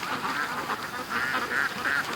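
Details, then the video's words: Morning rush of domestic ducks released from their pen to the creek after an extra hour's wait; loud, nasal quacks in short bursts, several in quick succession toward the end. "Ducks At The Creek Morning Rush"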